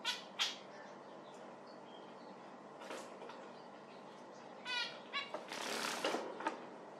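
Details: Zebra finch with sparse, short nasal calls over a quiet background, and a burst of wing flapping near the end.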